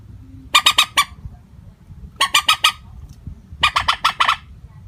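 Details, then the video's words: Common moorhen call played as a trapping lure, given without variation in tone: three bursts of four or five harsh, clucking notes about one and a half seconds apart over a low rumbling background. "Suara panggilan burung mandar batu.tanpa pariasi nada panggilan"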